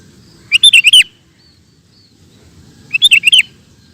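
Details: Lively gacor song of a sooty-headed bulbul, used as training audio for kept birds: two short bubbling phrases of five or six slurred, throaty notes, about two and a half seconds apart, with a soft low hum behind.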